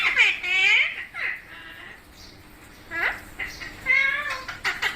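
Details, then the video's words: Parrot making giggling, laugh-like sounds: rich harmonic notes curving up and down, a drawn-out rasp, then short, chattering, squeaky phrases. "Amazing Parrot Talking Videos| Parrot Natural Sounds Videos/ Voice"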